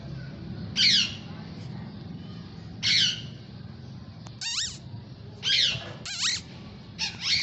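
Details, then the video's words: Pet rose-ringed parakeets (Indian ringnecks), playing and fighting, give harsh, high screeches in short bursts every second or two, some with sharp rising notes, over a low rumble of background noise. "Parrot natural Sound || Parrots are enjoying"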